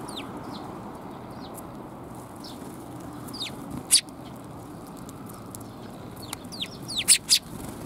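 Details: Sparrows, one of them tailless, recorded along a route on 17 January 2022. Faint downward-slurred chirps repeat scattered across the clip, with a few sharper clicks. Steady low hum lies underneath.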